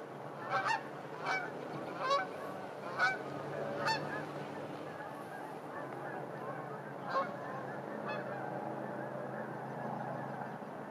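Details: Geese in a park at a winter sunset, loud close honks repeated about once a second for four seconds, then one more after a pause, fainter flock chatter, wind and distant cars behind.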